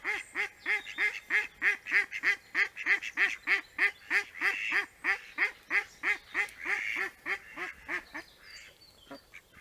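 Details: Wild mallard recorded in Liepāja, Latvia, September 2024, giving a long rapid run of hoarse nasal quacks, roughly three a second, evenly spaced and fading toward the end.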